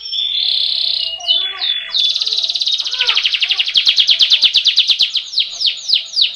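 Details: Canary singing a rolling song meant as a master for training birds: held whistles and short notes lead into a fast, pulsing roll of rapid repeated notes that slows into sweeping downslurs.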